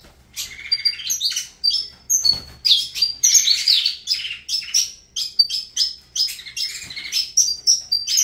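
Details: Singing saffron finch known as Avalanche, a dense run of bright tweets and trilled notes, pouring out almost without pause.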